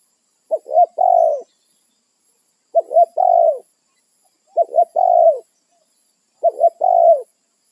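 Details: Wild spotted dove calling its companions, defending territory: four regular cooing phrases about two seconds apart, each a pair of short looped notes then a longer wavering coo that slides down.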